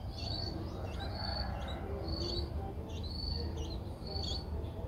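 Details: Six-day-old streak-eared bulbul in Ubon Ratchathani, Thailand, recorded 8 April 2023. Thin, high, slightly drooping notes repeat about once a second over a steady low rumble of background noise.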